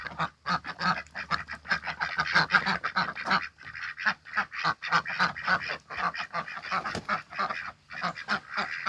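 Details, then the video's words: Six domestic ducks raised from hatching in a backyard, mating in spring; fast, irregular strings of coarse quacks, about three per second, several birds calling over each other with short lulls. "봄!!!이 오네요. 집오리가 교미를 하네요."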